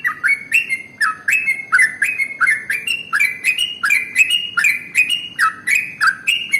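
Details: Long-singing sooty-headed bulbul recorded to train other birds, producing a continuous string of bright, slurred notes that rise sharply then dip, spaced under a second apart, over a soft murmuring background.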